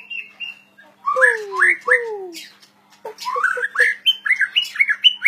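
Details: White-rumped shama singing in a loud, varied burst: descending whistled slurs, short rising notes and rapid warbled phrases sweeping upward, with a faint steady hum underneath.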